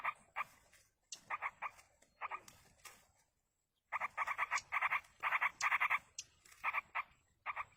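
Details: Wild yellow-vented bulbul nestlings begging while a parent feeds them: rapid, buzzy, rasping notes in quick runs, a silent gap of about a second midway, then a long dense burst of repeated harsh calls.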